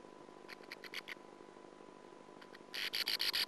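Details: Sand martins (Riparia riparia) singing, a male and a female that can be told apart by voice: dry, rasping twitters in quick bursts, a short run then a louder, faster chatter, over a faint steady hum.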